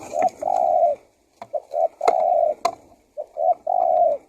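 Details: Spotted dove calling as a lure for wild doves: short lead-in notes followed by a long steady coo, the phrase repeated three times in quick succession, with a few sharp clicks.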